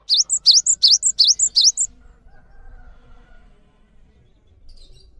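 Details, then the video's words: Cinereous tit used for training other birds sings five rapid paired whistles, a swooping dip-and-rise then a short high pip, under two seconds, followed by quiet low background noise. "GELATIK BATU GACOR ANTENG UNTUK MASTERAN"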